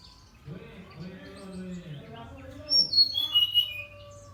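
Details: Brown-chested jungle flycatcher singing energetically: a quick falling series of pure whistled notes near the end, after a man speaking in the background.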